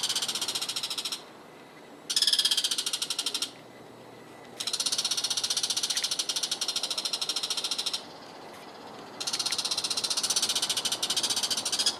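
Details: Noisy everyday call of a bull-headed shrike perched over a garden vegetable plot in Japan in the morning. Long, rasping, high chattering bursts, some over three seconds, alternate with brief quiet gaps, with a faint steady background hiss.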